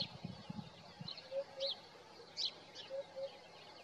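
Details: Eurasian hoopoe singing in the morning, recorded on a Nikon Coolpix P1000: soft, low hooting notes in pairs, two pairs about a second and a half apart. Higher, sharper chirps from other birds and low rustling early on.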